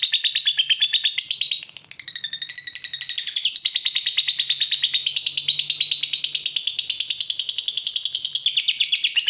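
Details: Captive fighter lovebird provoked by a rival, delivering a continuous rapid high chatter of buzzy pulses, briefly dipping near two seconds before resuming unbroken and loud.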